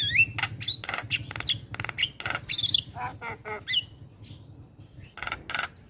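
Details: Male Javan myna delivering song that makes hearing mynas join: dense harsh squawks and rasping bursts mixed with upslurred whistles, then a brief pause and more harsh notes.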